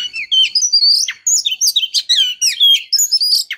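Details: A female white-rumped shama calls to excite a male: continuous high chattering chirps and quick whistled slurs, varied and rapid, with no gaps.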